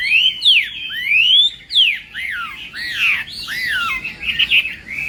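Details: Chinese hwamei in contest song at morning voice training, giving loud, slow, sweeping whistles that rise and fall in long arcs, then shorter varied notes.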